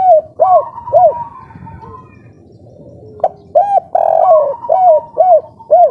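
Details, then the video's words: Kuk 3 song of a local spotted dove in breeding mood. Three arched coos open the clip, then a quiet gap. A lively run of coos follows, one notably longer, with a faint level whistle underneath. "Derkuku kuk3 lokal gacor ngamuk suara edan full birahi"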